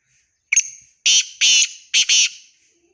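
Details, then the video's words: Black francolin (kala teetar) giving its call: one short sharp note, then a pause and a run of loud, harsh, grating notes in two paired bursts. The phrase is rhythmic and scratchy and fills under three seconds. The background is otherwise quiet. "kala teetar voice,black froncoline voice"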